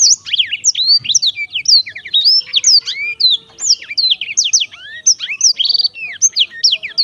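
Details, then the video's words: Sweet, lively song of a Black-throated canary, steady rapid chains of high whistled sweeps and short chirps, with a faint low tone in the background. "kicau merdu siBLACKTHROAT selalu menemani dengan ceria"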